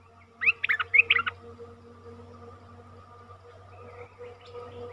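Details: Decoy bulbul singing to lure a wild bird into capture: a quick burst of slurred, warbling notes lasting under a second, then quiet with faint distant chirps and a low steady hum.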